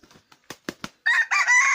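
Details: Wild junglefowl with yellow and white plumage: a few soft, low clucks, then a loud, harsh crow begins, a strained, buzzy note held and rising slightly toward the end, over a quiet background.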